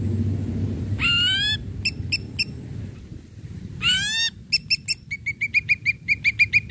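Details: Ashy drongo song meant to stimulate other drongos to sing: two rising, harmonic-rich whistled phrases, each followed by a quick burst of short notes that ends in a fast, accelerating chatter.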